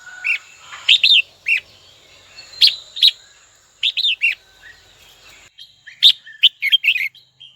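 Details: Red-whiskered bulbul kept in a cage, singing to draw a rival: bursts of bright, slurred whistles and chirps with a steady high whine running in the background for most of the recording.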